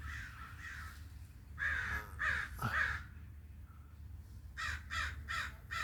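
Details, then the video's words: Hoarse, grating caws from a crow: two softer calls, a loud cluster of three strong rasping caws, a pause, then four quick caws, with a low steady hum behind. "original sounds of the crow's"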